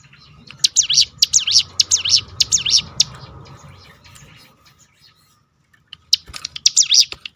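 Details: Hill prinia rolling 'tembakan' call to provoke other birds into song. A run of high, swooping notes, a near-silent pause of about two seconds, then the notes start again.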